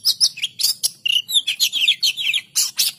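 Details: Oriental magpie-robin (kacer) in vigorous gacor song: a rapid, unbroken run of varied high chirps, sweeping whistles and sharp buzzy notes packed closely together.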